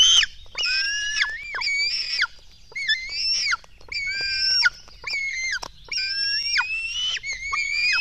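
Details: Nestling black storks in Latvia calling while being fed at dawn, 24 June 2016: a steady string of squealing, whistle-like cries, each ending in a downward slur, with brief quiet breaks between bursts.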